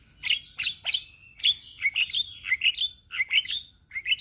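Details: A group of untrained Javan mynas in Indonesia singing: clear whistled and chirping notes, some sliding, spaced roughly every third of a second, with overlapping bright tweets from several birds and a faint high steady tone behind.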